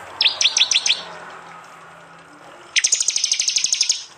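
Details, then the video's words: Prinia in East Java singing the loud 'tembakan' style, recorded by phone as tutor material for cage birds. A short run of six high chips, a pause, then a longer, denser burst of rapid sharp notes. "masteran Tembakan prenjak jali keras"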